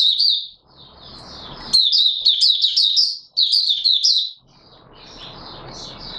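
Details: Oriental white-eye 'buka sing' song dated 24 March 2022: high sweet twittering phrases at the start, then a dense two-second run of fast warbled notes, ending with softer twitters over low room noise.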